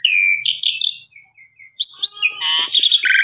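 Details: Asian pied starling song for canary training: a loud buzzy whistled phrase, a brief pause with soft low notes, then busy rattling trills and chirps to the end.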